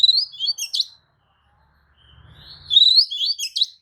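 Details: White-rumped shama song used as a lure to provoke other shamas into answering and fanning their tails; two bursts of high, tumbling whistled and chattering phrases separated by about a second of near silence with a faint low rumble.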